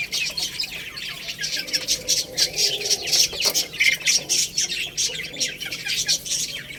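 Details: Little chicks feeding on rice, peeping in a rapid, rhythmic chorus of high, short notes, about three or four a second, with faint lower sounds beneath.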